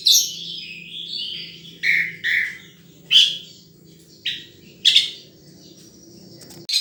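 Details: Wild sunbird calling in separate sharp, high chirps and short squeaky notes spaced about a second apart, after an opening twitter, with a low hum behind.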